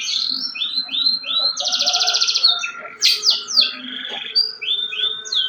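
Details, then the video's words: Energetic canary song mixing short upslurred whistles, a dense buzzy trill, sharp downward sweeps and a lower rattling phrase, loud and varied, with a faint constant hum beneath. "BURUNG KENARI GACOR DOR"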